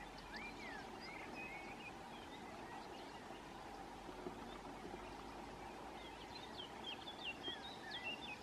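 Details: Little gulls give short, nasal, high calls from several birds at once, with a steady low rumble of background noise.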